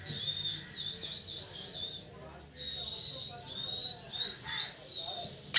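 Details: Parrot chirping in a steady run of high, wavering warbles, with short pauses between phrases, ending in a sudden harsh burst.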